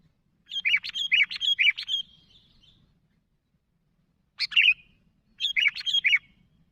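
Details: Calling to companions, a sooty-headed bulbul gives a fast run of bright liquid chirps lasting over a second, then a pause and two shorter bubbly bursts.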